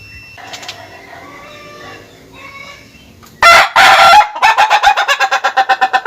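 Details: Laughing chicken, the Ayam Ketawa: soft distant crowing at first, then a loud harsh burst and a long series of about a dozen rapid rhythmic pulses, each slightly quieter, in a staccato laughing crow.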